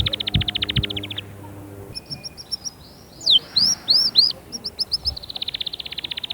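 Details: Canary song meant to prompt young birds to sing and ready females: fast buzzy trills of repeated notes open and close the phrase, with a few louder looping slurred whistles in the middle over a faint low hum.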